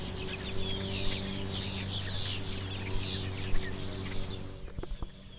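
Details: Several loud wild birds recorded in stereo on a Zoom H2, giving dense overlapping high chirps and short twittering notes throughout, over a steady low mechanical hum with a few sharp knocks near the end.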